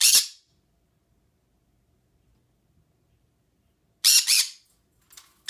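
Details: Green-cheeked conure kept as a pet, calling indoors: a short harsh squawk, a long pause, then a grating double squawk and a brief clipped screech near the end.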